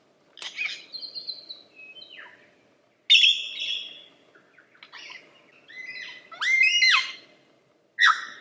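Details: Lyrebird singing separate phrases: a buzzy high note, fluttering whistles, a bright burst, then rising and falling whistled slurs and a final sharp note, with pauses between.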